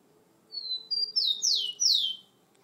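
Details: Rufous-collared sparrow kept at home, described as aggressive, singing a short phrase: two thin level whistles followed by three loud, high descending slurred notes.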